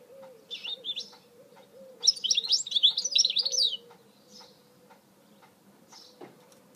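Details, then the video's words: Goldfinch mule (hybrid goldfinch) singing in 2018: a sharp twittering, warbled burst of high, rapidly varied notes lasting about two seconds, framed by short isolated chirps, over faint low repeated arc-shaped notes in the background. "Chant mulet chardonneret تغريد هجين الحسون"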